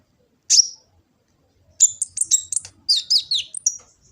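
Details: Sunbird called kolibri ninja, recorded by smartphone in Gresik, East Java as master song: one sharp high note, a pause, then a fast jumbled burst of high chirping notes.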